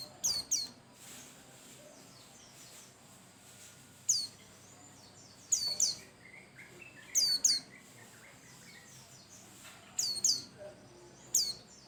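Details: White-eye (pleci) lure song meant to set other birds singing: paired high, thin whistles that sweep steeply downward, delivered in quick doublets every second or two, with softer chattering notes in the gaps.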